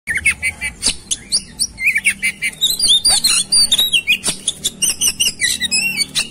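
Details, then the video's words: White-rumped shama, agitated and ready to fight, singing a dense fast medley of high whistles, sweeping notes and harsh chattering bursts, delivered in rapid repeated phrases. "KACER NGAMUK | KACER NGOTOT | KACER NGOBRA | KACER BUKA EKOR | KACER TARUNG"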